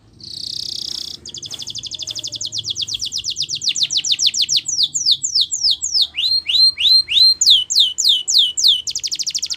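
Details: Canary singing a training song: a long, fast, buzzy trill that slows into separate descending sweeps, then rising whistled notes and renewed sweeps, steady and loud throughout.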